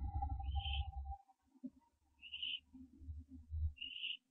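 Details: Barn owl young at the nest before dawn, 15 September 2011, branching night: three hoarse upward calls about 1.8 seconds apart amid continual rumbling and scuffling movement sounds and a low hum.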